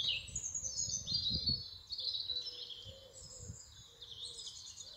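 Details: Several songbirds sing in an English spring: quick, twittering high phrases and trills follow one another with short pauses, over a faint low rumble.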